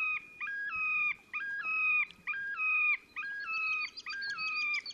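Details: Displaying Terek sandpiper on 30 April 2019 in Oka Nature Reserve, Russia, between Lipovaya Gora and Verkhnee Sheikino by the Pra: clear ringing phrases, each a low note jumping to a higher held note, repeated about once a second.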